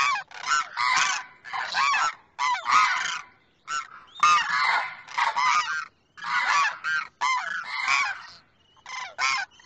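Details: Demoiselle crane pair, the male calling to the female from the other side: harsh, rattling croaks in about a dozen short bursts, some overlapping, spread unevenly across ten seconds.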